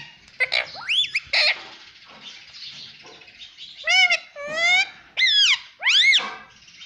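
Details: Pet parrot that talks, saying words such as "mitthu" and "mummy", gives several shrill, upward-curving chirpy phrases, a few dropping off sharply, over light background hiss.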